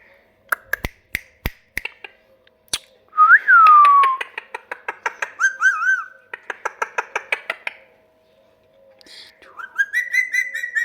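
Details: Pet talking parrot indoors, giving a loud whistled note that rises then slides down, followed by rapid harsh buzzy voice-like phrases and wavering tonal calls, with sharp clicks and taps at the start.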